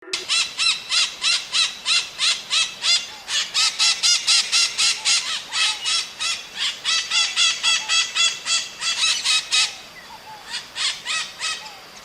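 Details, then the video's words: Maritacas calling in the wild: harsh, harmonic-rich squawks given in a fast, steady series of about three to four per second for roughly ten seconds, a brief pause, then a few more squawks. "Som de Maritaca cantando"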